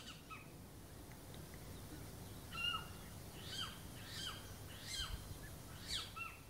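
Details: Little owl males give territorial calls in the UK breeding season, from April onwards, in farmland and hedgerow habitat: sharp, down-slurred mewing notes about one a second, some overlapping, over a low steady rumble.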